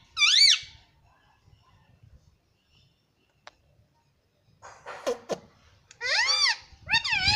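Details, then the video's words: Pet green ring-necked parakeet indoors, said to speak words like mummy and papa; one loud arched, harmonic squawk-like utterance at the start, near silence with a faint click, then a burst of rising-falling voiced syllables closing the clip. "Mummy Papa Bolunga Meto || Parrot Talking || Bolne wala tota"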